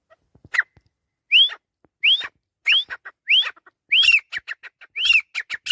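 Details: Grey francolin, called teetar, giving a shrill series of rising whistled notes, each sweeping upward and repeated roughly every 0.7 seconds, with sharp clipped notes crowding in between toward the end; a few faint clicks open the sequence.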